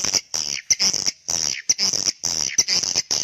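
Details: Call for young swiftlets: short bursts of harsh, buzzy high chirps in quick clusters, separated by brief gaps, with sharp clicks between the bursts.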